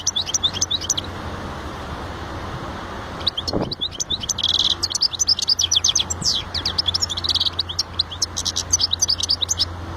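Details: European goldfinch singing long and continuously, a rapid, jangling stream of high twitters, trills and buzzy notes with a brief pause near the start, over a steady low hum.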